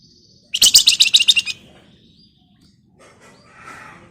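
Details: Scarlet minivet in lively, dense ngebren-style song used as a lure to get other birds singing: a thin high whistle, then a fast run of about nine sharp, buzzy high chirps over one second, fainter chirps afterward.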